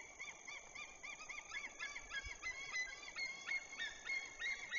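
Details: White-tailed eagles at a nest in the Woziwoda forest district of Poland, in the breeding season, give loud, yelping calls, about three per second. The notes rise and fall, and the series quickens and sharpens toward the end.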